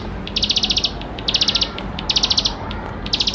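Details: Bar-winged prinia in energetic, richly filled song used to coax young birds into singing; four quick bursts of fast, high ticking notes, each under half a second, separated by brief pauses.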